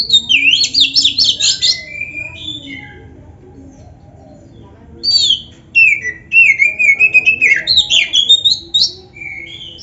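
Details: Oriental magpie-robin with a lively, phrase-rich song meant to make other magpie-robins answer fast. A rush of rapid whistles and swooping notes is followed by a pause, then another long, loud run of warbled and rising whistled phrases.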